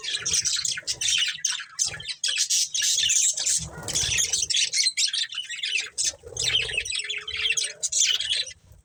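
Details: Several budgerigars chattering continuously, high raspy chirps and squawks in fast, irregular bursts, with some low rustling and brief softer warbles.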